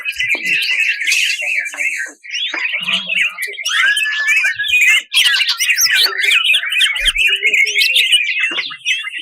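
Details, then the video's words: Greater green leafbird in rough, aggressive master song for contest birds; a dense, continuous torrent of chattering, slurred and scratchy notes with constant fast twittering and almost no pauses. "MASTERAN BURUNG TEMBAKAN KASAR"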